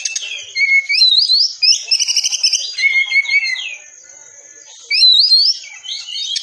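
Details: Rapid, dense Oriental magpie-robin song meant for training caged birds: twisting whistled phrases and buzzy rattles over a steady high thin tone, one quiet pause, then the varied phrases resume.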